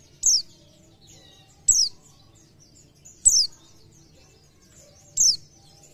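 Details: Oriental white-eye kept in a cage, giving four sharp, high downslurred notes spaced about one and a half seconds apart over faint background hum.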